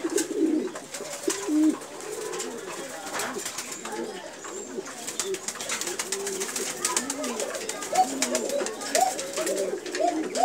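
Pigeons coo in low, rolling, repeated phrases, several birds overlapping in an enclosed space.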